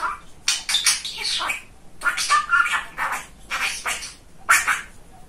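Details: Chatty male pet budgerigar mimicking speech indoors. Rasping, buzzy babbled phrases arrive in four or five bursts, with a sharp squeak near the end.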